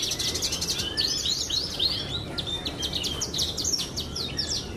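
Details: Prize-winning pied Javan bush lark sings quick runs of high, downward-sweeping notes and rapid stuttering trills against a soft noisy background.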